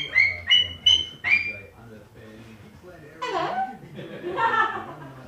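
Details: A male sulphur-crested cockatoo with beak and feather disease, a rescued pet of unknown age who has learned speech, gives four quick, clear, speech-like notes, then two harsh, raspy screeches.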